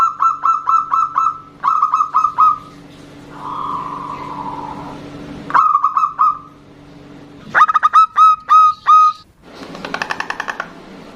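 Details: A female zebra dove calls a male and they answer each other. Several bursts of rapid, clipped, mellow notes are broken by smoother drawn-out tones, with a low steady hum behind.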